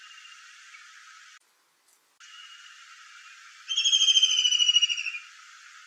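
A kingfisher gives a rapid, high, shrill trill of piercing notes lasting about a second and a half, over a steady background hiss.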